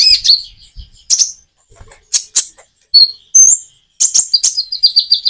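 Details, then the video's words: Common iora singing with natural pauses, used to coax quiet birds into answering. Bursts of high, scratchy chirps alternate with brief silences. The phrase ends in a fast run of repeated tweets, with faint low thumps early on. "Kicau burung konin jeda natural untuk pancingan"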